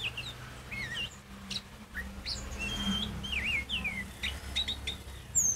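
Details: Oriental magpie-robin song meant to stir other magpie-robins into loud singing: busy, twisting whistled phrases and sharp chirps over a steady background hum and noise.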